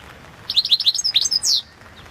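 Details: Balkan goldfinch (Carduelis carduelis balcanica) singing for a 2022 world song championship: one loud, rapid phrase of bright stuttering twitters ending in a higher drawn-out buzzy note, otherwise quiet.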